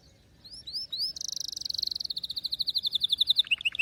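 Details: Canary singing. Rising whistled notes lead into a dense high buzzy trill, then a long run of rapid repeated syllables that speeds up and ends in sharp downslurred chips.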